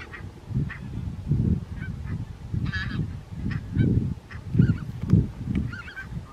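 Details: Barnacle geese at Strijen, South Holland, Netherlands, on 4 November 2024 give short, yapping, dog-like calls at irregular intervals over a steady low rumble of flock murmur and wind.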